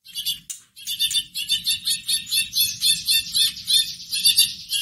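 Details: White-rumped shama song used as a lure to rouse a sluggish bird into answering: a fast, unbroken chattering run of scratchy high notes, pulsing about twice a second, with no pauses and no other sounds.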